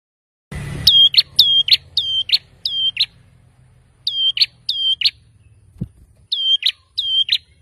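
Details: Male bar-winged prinia singing persistently to provoke rivals into answering: a string of paired notes, each a steady high whistle ending in a sharp buzzy burst, repeated in quick runs with short pauses and a faint low hum underneath.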